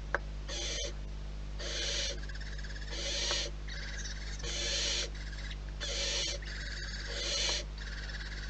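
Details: Barn owls in the wild at the nest give rasping, noisy hisses in drawn-out bursts roughly once per second, broken by occasional faint clicks over a constant low electrical hum.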